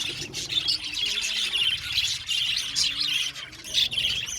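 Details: An aviary colony of budgerigars, continuous busy chatter of many birds, high twittering warbles and squeaks overlapping, a few louder chirps near the end.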